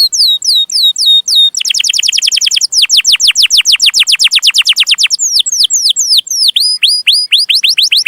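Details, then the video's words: Canary song for training young birds. Opens with looping whistled notes, bursts into a very fast rattling trill, then a run of falling whistles, and ends with varied hooked, chirping phrases. "Kenari Gacor Cuit Cuit Panjang || sangat cocok buat masteran burung kenari paud"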